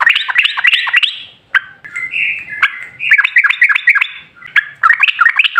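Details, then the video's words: Lure recording of a sooty-headed bulbul in gacor ropel song: quick bouncing chirps, then a slower stretch of drawn-out whistled notes before rapid chirping resumes and builds toward the close. "Suara TRUCUKAN GACOR Ropel Ngalas Pancingan Trucukan Agar Bunyi"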